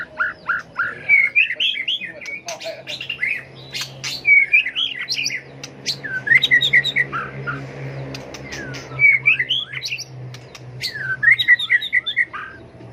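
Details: White-rumped shama, tail flicking, singing a fighting song for bird training: bursts of rapid warbled and trilled phrases with slurred whistles, spaced by short pauses, and clicks between them.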